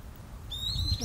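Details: Long-eared owl on Tsushima, from a family of parent and young: after a quiet start, a single drawn-out, thin, level squeal sounds against a low hum.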